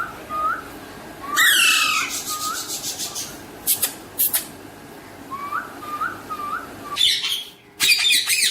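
An Alexandrine parakeet gives short whistled rising notes and a harsh squawk, mixed with bursts of loud broadband noise, in a small indoor room.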